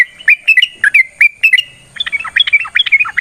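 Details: Yellow-vented bulbul song for prompting caged birds to answer: several spaced liquid whistled chirps, then a quicker, more jumbled run of bubbly notes.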